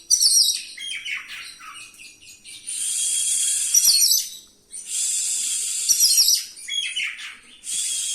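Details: Oriental magpie-robin in rolling song delivering assorted fill-in phrases meant to provoke other magpie-robins: scratchy twittering notes give way to long buzzy, hissing blasts repeated roughly every two seconds, with brief whistled accents.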